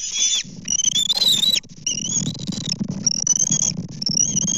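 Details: Bald eagles on a Kansas nest during fish deliveries, 24 May 2024: loud, high whistled calls in bursts, one harsh squealing note, then steadier thin whistles, with low rumbling and rustling throughout.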